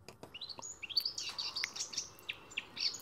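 Eurasian Blackcap singing a quick, tense warbling phrase of rising notes that breaks into clearer, fluty tones; faint background hiss.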